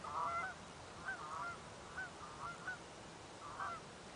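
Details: Honking from geese alarmed by a person drawing near: a handful of fainter, nasal honks spread over a few seconds against a noisy background.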